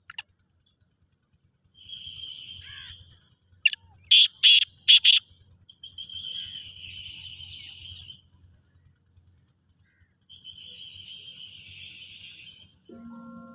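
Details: Black francolin giving a quick burst of five loud, harsh, rasping notes in under two seconds. Softer, steady hissing buzzes come before and after, and a brief low tone sounds at the end.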